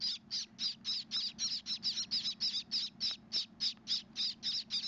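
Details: Hand-raised Gouldian finch chicks, hoped to be blue, beg while being fed with high, raspy, buzzy notes, about three or four a second in a steady run, over a faint low hum.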